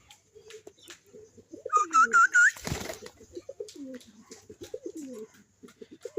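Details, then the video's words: Domestic pigeon calling repeatedly after seeing newly bought pigeons, low cooing notes throughout, with a brief burst of whistle-like notes and wing flapping in the middle, indoors. "নতুন কবুতর দেখে এ ডাকাডাকি করছে।"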